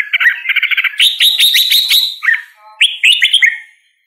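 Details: Red-whiskered bulbul singing: a quick rattling series of repeated notes, then louder burry chatter, followed by a couple of looping whistled phrases before the song stops.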